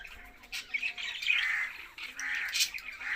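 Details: Budgie chatter of bright, rasping squawks and warbled notes rising and falling in short bursts, fairly loud and close, over a quiet background.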